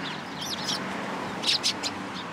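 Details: Sparrows flying to a cherry tree at a Tenmangu shrine on 24 March 2023. A brief curved twittering note is followed by three loud, clipped chirps over steady low background noise.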